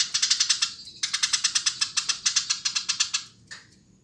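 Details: Fast, continuous chatter from a Eurasian tree sparrow: steady rattling chirps about five per second, a short break, then another long scratchy run fading out.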